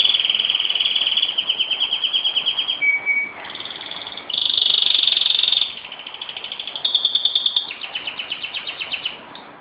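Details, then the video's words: Pet canary singing at home in Jeddah on Friday, 26 September 2008, showing off: long, rapid, high trills, rolls and buzzy repeated notes shifting in speed and pitch, briefly dropping to a lower steady whistle, with no pause between phrases. "My Canary Showing OFF"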